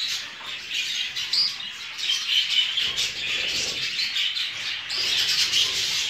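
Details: Breeding jumbo show budgerigars fill the air with busy overlapping chirps, short whistles and rasping notes, a steady bright chorus without pause.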